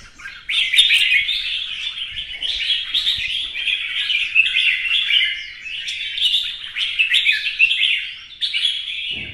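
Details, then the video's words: Kept red-whiskered bulbul performing competitive song with a fanning dance. A long, nearly unbroken stream of lively, jumbled whistles and chirrups, with loudness swelling and easing every second or two. Faint thumps are heard underneath. "CHÀO MÀO | CB Quạt Mo chiếc áo mới hót đấu múa xòe"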